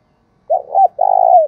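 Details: Spotted dove serving as a decoy to draw in wild doves, calling once with a short note, a swooping middle note and a long vibrating coo that tails off downward.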